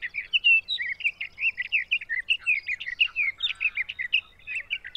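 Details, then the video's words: Sage thrasher in June at Arapaho NWR, Colorado, pouring out a long, run-on warbling song of quick, slurred phrases, steady and unbroken for five seconds. "Sage Thrasher"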